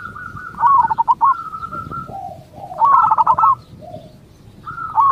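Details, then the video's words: Local Indonesian zebra dove song, played to get other zebra doves to answer. Clear mellow cooing phrases of rapid trilled notes, each followed by a lower drawn-out coo, repeated three times over about five seconds. "Cukup Dengarkan Suara Ini Perkutut Lokal Bahan Anda Akan Nyaut"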